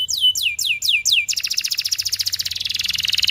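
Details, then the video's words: Canary song for tutoring young canaries or ones that have stopped singing: five loud downward-swooping whistles at a steady beat, followed by a very fast high buzzy trill. "MASTERAN KENARI 30 MENIT DURASI PANJANG"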